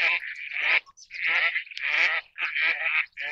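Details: Four loud, drawn-out nasal quacks from an Eastern spot-billed duck, each harsh and buzzy and lasting up to half a second, spaced by short silences.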